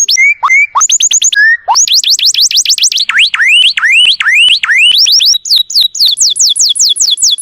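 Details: Canary master song used to train other songbirds: loud, clean series of rapid high tours, shifting from steady whistles to quick upslurred notes, then falling sweeps and sharp descending notes repeated several times a second.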